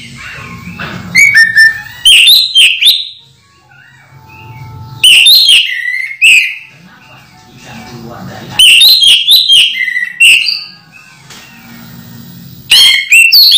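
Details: Caged orange-headed thrush in moult, still singing actively in teler style: loud clear whistled phrases in separate bursts every few seconds, with quieter pauses and low room hum between.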